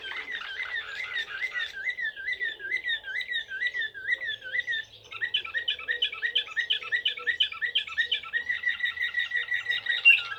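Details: Serbian blue canary singing in the Slavujar style: long rolling trills of repeated looping whistled notes, about three per second, with a short pause midway before a faster, brighter roll resumes.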